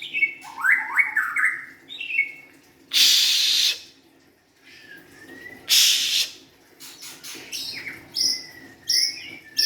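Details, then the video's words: White-rumped shama singing slurred whistled phrases, cut by two loud bursts of hissing noise, with scattered sharp notes near the end. "kicauan murai batu"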